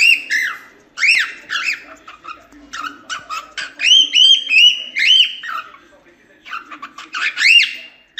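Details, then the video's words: Training recording of cockatiel song: quick, chattering phrases of short buzzy notes mixed with arched whistles, rising to louder peaks in the middle and again near the end. "Como Ensinar Calopsita Cantar"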